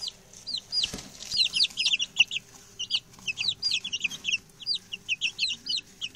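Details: Six newly arrived male chicks, settled in and chatty, peep continuously: many high, downward-sliding whistled notes overlap in quick, irregular succession, with a brief thump early on.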